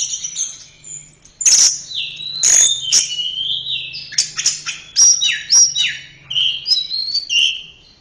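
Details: Song of an Orange-headed thrush: high thin notes, then loud sharp clicks and a flowing sequence of swooping whistles and rapid chattering phrases, with a faint low hum underneath.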